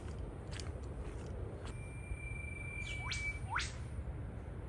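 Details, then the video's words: Two Eastern Whipbirds duet near a beach in eastern Australia, one starting the call and the other finishing it: a long, steady, high whistle ends in two sharp, steeply falling whip-cracks, over a low rumble of surf. "And can you hear that whipbird?"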